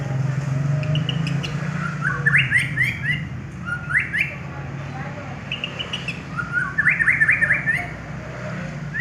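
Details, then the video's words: Prize-winning white-rumped shama in song, delivering short rising whistled flourishes in several bursts separated by pauses, over a constant low background hum and faint clicks. "BURUNG MUARAI JUARA"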